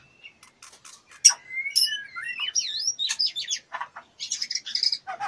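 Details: Female white-rumped shama in heat, wing-fluttering and inviting mating, giving a busy jumble of sharp chips, twisting whistled slurs and scratchy chatter that builds in loudness, with quick high notes clustered toward the end.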